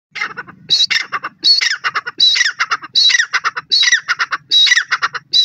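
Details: White partridge, known locally as dakni teetar, giving loud harsh squawking calls in rapid, uneven bursts of several notes, with bursts repeating about every three-quarters of a second and a faint low hum beneath.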